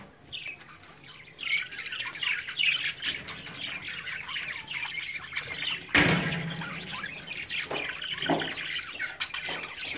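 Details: Budgerigar chicks at play in a cage under their parents' watch; quiet at first, then loud, continuous raspy squawks and chirps, with one sharp bang midway.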